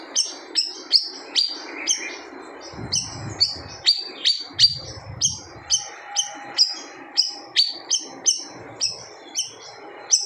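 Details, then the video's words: Siri-siri bird singing a loud, fierce song said to make other birds go quiet; bright high whistles with downslurred sweeps repeat about twice a second for ten seconds, with a few brief low thumps and a faint steady tone behind. "SIRI-SIRI GACOR TEMBAKAN SADIS BIKIN BURUNG LAIN DIAM"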